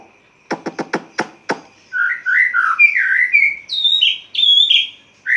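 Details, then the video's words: Caged white-rumped shama at dawn with its cage cover opened: a quick series of six sharp ticking clicks, then a flowing run of rich whistled and warbled phrases rising and falling in pitch. "Murai Batu Ngeplong buka tutup sangkar langsung gacor | Burung Murai Gacor Subuh Subuh"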